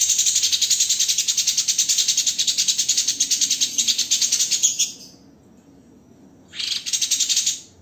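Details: White-rumped shama master recording for training songbirds, in the dense, harsh rapid-fire tembakan style: a fast run of high buzzy notes repeated about three times per second, stopping, then briefly resuming.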